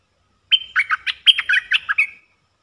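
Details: Wild Red-eyed bulbul reacting to a caged decoy: a lively burst of liquid, chattering notes, around nine clipped warbles falling and rising over under two seconds, clear against a quiet background.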